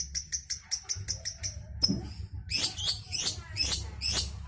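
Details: Caged long-tailed shrike (cendet) in Jombang, East Java, Indonesia, newly moulted with dark plumage; quick, evenly spaced high clicks, then louder harsh, buzzy notes repeated about every half second.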